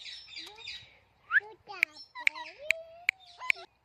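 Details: Talking parrot making sliding whistles, a rising squeak and sharp clicking pops, with bursts of noisy, speech-like chatter in between.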